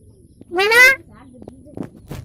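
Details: A talking hill myna (moyna) says its own name, "moyna": one loud, bright, voice-like syllable that rises slightly in pitch, followed by faint clicks and background noise.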